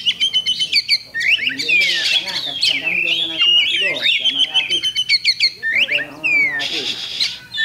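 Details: Oriental magpie-robin (kacer) at a songbird contest on Thursday 8 October 2020, singing a loud, varied run of whistled slurs, rising and falling notes and sharp chirps, delivered in quick bursts with brief gaps.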